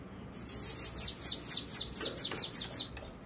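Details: Bananaquit on 13 March, a Wednesday morning near 7:17, giving a rapid string of around ten shrill, hissing notes that each drop steeply in pitch, slightly speeding up toward the end, with faint low knocks behind.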